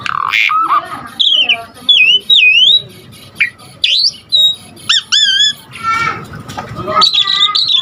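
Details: Asian pied starling in lively, full-content song used as a lure and tutor for starlings: a varied run of harsh rasps, clear whistled notes rising and falling, and swooping upslurs, with short pauses between phrases.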